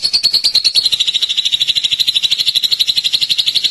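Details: Drongo delivering an unbroken, very fast trill of high, slightly buzzy notes, steady in pitch and loudness throughout.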